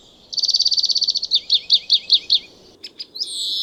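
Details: European Greenfinch song: a rapid, even canary-like trill of about fifteen bright notes, then six slower looping notes, a short pause, a few clipped notes, and finally a long, drawn-out nasal wheeze at high pitch.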